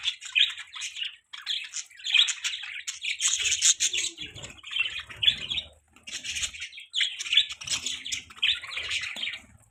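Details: Morning chirping of budgies: bursts of warbling, buzzy chatter in short phrases separated by brief gaps, with faint wing flutters or cage rustles underneath.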